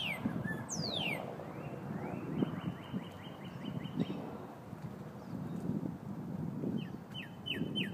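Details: Cardinals calling to each other with clear, steeply falling whistles, then fast runs of short repeated slurred notes, over a steady low rumble of distant traffic.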